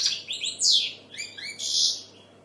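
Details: Short burst of European goldfinch song: a few slurred, downward-sweeping chirps, a brief gap, then a bright buzzy twitter.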